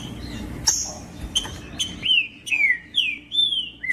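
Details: Green-winged saltator singing loud whistled phrases. Clear slurred notes glide downward between high and mid pitch, repeated in a quick, uneven series about twice per second, over a faint low background hum.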